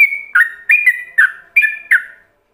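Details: Yellow-vented bulbul delivering ropelan song as a master for other bulbuls to imitate: six loud, clear whistled phrases in quick succession, each stepping down in pitch, then the song stops into silence.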